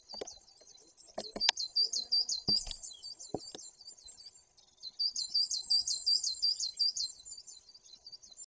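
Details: At a forest camera in Bory Tucholskie, Poland, on 2 September 2022, a great tit repeats brisk, high looping notes in two runs, several sharp knocks early on.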